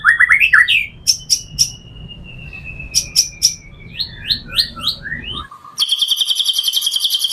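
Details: Varied song of a white-rumped shama, meant to draw in other shamas: slurred whistles and sharp high clicks, a long thin steady whistle, a string of descending whistled phrases, then a fast dense buzzy trill.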